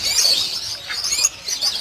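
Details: Crowded chorus of lovebirds on a farm with 800 breeding pairs, many shrill, high twittering calls overlapping, briefly dipping in loudness before the squeaky chatter picks up again.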